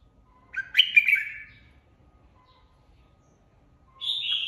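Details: Competitive song of a red-whiskered bulbul flock leader just taken out of an aviary and kept in a cage: a loud, rich burst of chirped and warbled notes, a long silence, then a clear falling whistled phrase.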